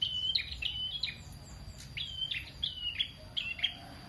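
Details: Prenjak in energetic song, suited to tutoring other songbirds: sharp downslurred chirps and brief whistled notes repeated in quick pairs and triplets, against a soft constant hum.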